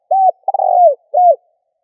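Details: Spotted dove call used to lure and stir wild doves in Vietnam: a clean three-part coo, a short hollow note, a longer rolling note sliding downward, then a brief falling final note.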